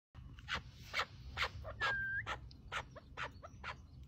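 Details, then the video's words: Chukar partridge gives harsh, clucking notes repeated about twice a second, with one brief thin whistle partway through and a low rumble beneath. "Keklik Sesi"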